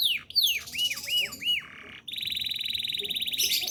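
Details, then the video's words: Domestic canary singing as a master for training others: sweeping downslurs and three arched whistles give way to a long rapid buzzy trill of high notes. "Kenari gacor ngerol nembak mantap."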